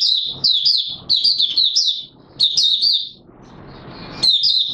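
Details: Mata Puteh Raja, an Oriental white-eye, singing openly on 24 March 2022: long runs of quick, looping high chirps repeated in bright clusters, pausing once amid a low rushing background hum before resuming.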